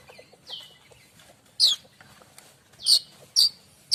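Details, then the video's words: Streaked weaver, known locally as manyar kembang, in full song for training other songbirds: scattered sharp high notes and brief downslurred whistles separated by quiet gaps. "Kicau manyar variasi mantab"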